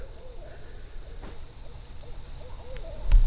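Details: Two Barred Owls duel, trading faint, wavering hoots back and forth during a farm campout at grape harvest. A steady high insect drone and low rumbling noise sit underneath, with a thump at the end.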